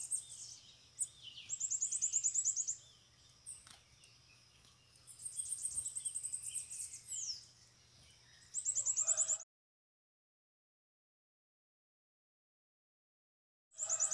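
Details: Several free bananaquits come to a cage during a campeada. High, sizzling trills and thin slurred whistles come in short bursts separated by pauses. The recording cuts to silence before the song resumes briefly at the end.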